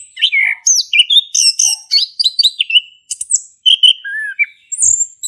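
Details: Male orange-headed thrush singing in a varied, continuous stream: clear whistled slurs and rising-falling notes mixed with quick chirps and sharp high ticks, phrases packed closely with only brief pauses, used to coax a silent thrush into song.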